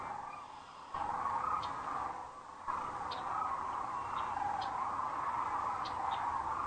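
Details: Sandhill cranes gathering for the night at Rowe Sanctuary, Gibbon, Nebraska, at sundown, April 4, 2013, on a webcam; the chorus of rolling calls jumps louder twice, then holds steady, dotted with brief high chirps.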